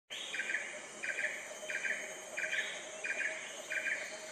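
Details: Asian red-eyed bulbul giving short, bubbly, mid-pitched phrases repeated roughly every 0.7 seconds in a steady series, over a constant thin high-pitched insect-like hum.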